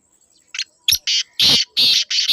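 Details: Loud grating series from a black francolin: short tentative rasps build into longer, powerful harsh bursts delivered back to back.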